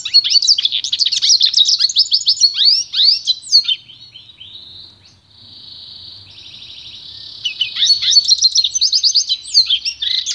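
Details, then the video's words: Pintagol, a goldfinch × canary hybrid, singing pure song for song training: rapid high twittering trills and chirps, a sustained buzzy, even note in the middle, then lively warbling phrases returning. "canto puro do pintagol"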